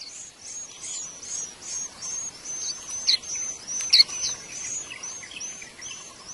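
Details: White-eyes feeding young at a nest in the wild: a steady run of thin, high, slightly downslurred chirps roughly once a second, with two louder sharp notes near the middle.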